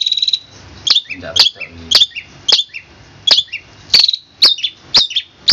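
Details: Long-tailed shrike tembakan kristal master song for training birds: a steady high whistle followed by sharp, clipped double notes about twice a second, with some faint low noise.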